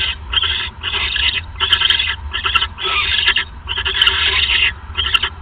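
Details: Loud, grating owl hisses at night as a male brings a mouse, 28 December 2014; long harsh bursts alternate with brief gaps, punctuated by sharp clicks.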